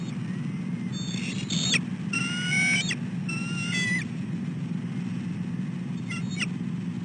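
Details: Female bald eagle calling while her mate eats on a dead tree, then follows him to the nest where he mantles his food; a burst of high, quavering whistled chitters mid-clip and a faint pair near the end, over low rumble.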